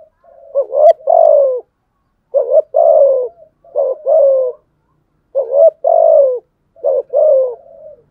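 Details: Spotted dove repeatedly cooing to challenge rivals, 'thúc gù' style: five low phrases in about eight seconds, each a quick rising note and then a longer falling coo, with brief soft notes between.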